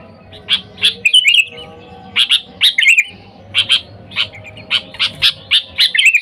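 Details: Calling sooty-headed bulbul luring wild birds: a steady string of short, clipped chirps interspersed with a few bubbling whistled warbles, fairly evenly spaced.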